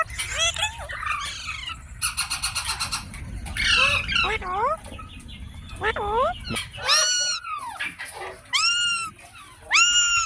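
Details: Pet rose-ringed parakeet calling amid a rattling, buzzy chatter, then clear arched screeches repeated about every second toward the end, over a low rumbling background.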